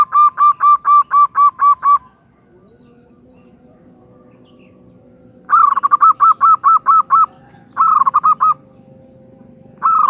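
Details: A female zebra dove calls the male with a steady run of about eight clipped coos. After a pause comes another run of about eight, then a shorter phrase, and a new phrase starts as the clip ends.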